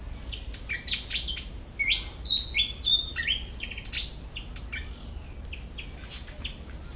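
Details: Malaysian pied fantail calling while feeding in a garden, a quick run of high sliding whistles early on, then busier overlapping chirps that trail off into background chatter.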